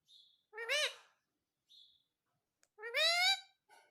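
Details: Pet parrot speaking "mummy" indoors: two loud, nasal, harmonic word-like calls about two seconds apart, with faint high squeaks before each and a soft sound at the end.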